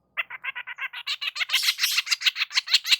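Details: A sunbathing long-tailed shrike in the morning utters a fast, regular series of about twenty rasping notes, rising in pitch and loudness, then becoming a harsh, rapid chatter.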